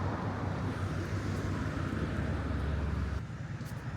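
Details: A deep engine rumble from a vehicle or aircraft dominates an outdoor urban scene near Malaga, Spain, with no animal calls.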